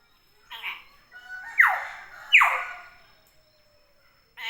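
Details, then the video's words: Wild-sounding common hill myna calling vigorously, giving loud, sharply downward-sweeping whistles roughly once per second, preceded and followed by shorter, buzzier notes in a quiet setting. "Suara burung beo alami gacor"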